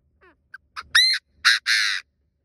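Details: Chinese francolin decoy bird calling to lure wild francolins and provoke them to call. Faint short notes lead into a loud, harsh phrase: a drawn, rising note, then a clipped note and a long buzzy, rasping note.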